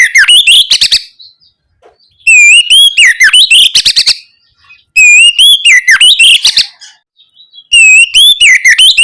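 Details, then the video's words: Fluent, loud oriental magpie-robin song used to prompt young birds to reply: four phrases roughly every two and a half seconds, each a pure rising whistle leading into rapid twisting whistles and sharp ticking clicks. "Pancingan suara Kacer ngeplong gacor untuk merangsang Kacer bahan agar lekas nyaut"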